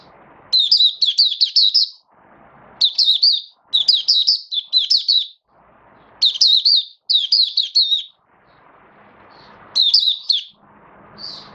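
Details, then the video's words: Caged oriental white-eye kept as a hobby songbird, recorded 19 September 2022 while in build-up form, sings bursts of high, rapid twittering notes in phrases about a second long, separated by short pauses with faint low background noise. "Mata Puteh V2 Raja Buka Sing Build Up Form"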